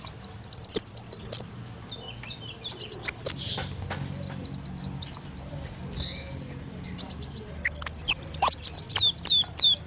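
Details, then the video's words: Olive-backed sunbird lure song: three separate bursts of quick, high, zigzagging twitter notes, with silent gaps of about a second between them. "Ampuh Suara Pancingan Burung Kolibri Daun"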